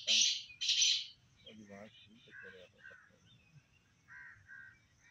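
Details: Black francolin giving two loud, harsh grating notes in quick succession, then quieter scattered chirps and faint murmuring.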